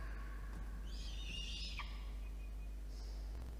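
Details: Peregrine falcon chick begging as an adult male brings dinner to a nest box atop a water tower in Orange, NSW, Australia, 8:56 PM, 5 November 2021; one strained, harmonic wail ending in a sharp downward drop, then a brief faint note over steady low hum.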